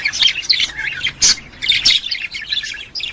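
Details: Budgerigar breeding-stimulation sound for encouraging a female to mate: rapid, chattering warble of harsh squeaks and high chirps in uneven bursts, with short pauses between phrases.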